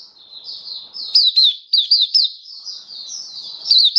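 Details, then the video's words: Captive Oriental white-eye, October 2022: a long, thin, wavering high warble that rises and falls, broken by loud clusters of sharp down-slurred chirps around the middle and the end. "Mata Puteh Kitaro Buka Sing"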